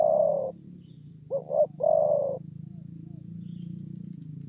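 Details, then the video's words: Loud-voiced spotted dove used as a lure call: a long low coo, a pause, then a quick stuttered pair of notes and a drawn-out hollow coo, against a steady high hiss and low background rumble. "pancingan terkukur ini ||terkukur suara besar"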